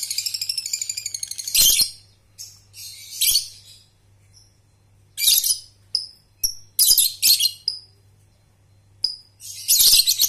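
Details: Lovebird, a young Balibu/paud bird learning to trill ngekek with tight pauses, used to train young birds; opens with a fast rattling trill, then separated bursts of shrill chatter and thin whistled notes across ten seconds, faint hum.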